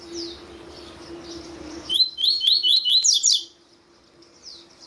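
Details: Male double-collared seedeater (Sporophila caerulescens) singing with a female calling, played to stimulate captive birds to sing. A quick, bright twittering phrase of rapid high notes lasting about 1.5 seconds, with thin sliding calls before and after over a low hum.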